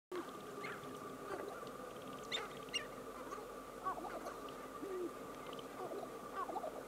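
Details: Sharp-tailed grouse calling, a busy mix of short clucks, cackling notes and soft low cooing from several birds overlapping throughout, with a few sharp high chirps and a steady faint humming tone underneath.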